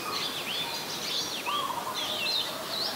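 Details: Oriental magpie-robin (Copsychus saularis) in Ubon Ratchathani, Thailand, 23 December 2019, singing varied, clear whistled phrases that slur up and down, some high and sweet, one lower and mellower, over steady background hiss.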